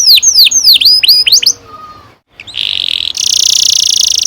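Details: Canary in full long rolling song, used as a training lure to get young canaries singing; a run of rapid downward-sweeping whistled notes, a short gap, then dense, buzzy rolled trills held at a steady high pitch.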